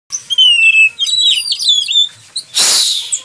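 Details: An actively singing Oriental magpie-robin, used as a song tutor, gives a rich, varied run of clear whistles and quick twittering phrases, ending in a loud harsh hissing burst.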